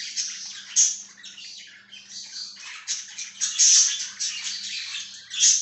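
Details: Budgie chirping: continuous scratchy, buzzy chatter with bright squeaky peaks, rising and falling in loudness over nearly six seconds, with a faint low hum underneath.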